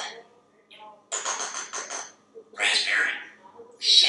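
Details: Very talkative African grey parrot waiting for dinner in a kitchen, producing a string of rapid syllables, a raspy word and a sharp final squeak.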